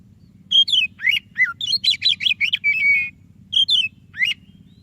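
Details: White-rumped shama, white-breasted variety, song meant to prompt a lazy shama: tumbling whistled slurs, quick down-swept notes, a run of rapid chattering notes and a held steady whistle, then two sharp rising phrases.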